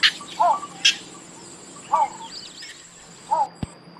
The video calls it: BITTERN BIRD| SOUND/ CALL